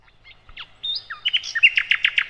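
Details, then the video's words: Sikatan londo, called nightingale, singing as a master recording for training other cage birds: a few scattered high whistles, then a fast run of loud, evenly repeated sharp notes. "Materan Burung Sikatan Londo"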